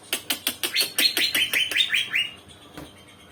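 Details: Young cucak ijo (green leafbird), an untrained bird that has begun to sing, giving a rapid run of sharp clicking notes that turn into a string of bright rising whistles, then fading.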